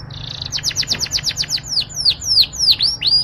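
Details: Singing Yorkshire canary delivering a sweet trill of rapid descending notes, about three per second at first then slowing into spaced downslurred chips, bright and high-pitched over faint low background hum.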